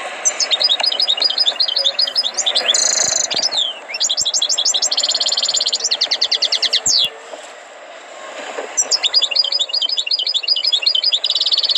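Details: Tutored European goldfinch in full song: long runs of rapid, metallic, tinkling trills and buzzy rattles, broken by one brief pause before the lively twittering resumes.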